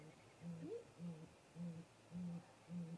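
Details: Great grey owl pair visiting their snag-tree nest in late afternoon daylight, nest camera: deep, even hoots repeat about every half second, with one brief rising whistled whoop over them early on.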